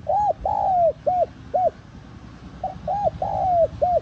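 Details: Spotted dove cooing, a call used to lure wild doves: two phrases, each a brief soft note, a clear arched coo, a long drawn-out descending coo, then two short hooked coos, with low rumbling background.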